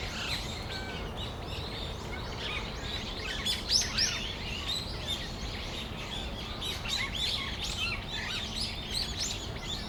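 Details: A December afternoon flock of brown-eared bulbuls in Tamagawadai Park keeps up a rapid, uneven stream of high squeaky chirps and short screechy notes, loudest near the fourth second, with a low rumbling background throughout.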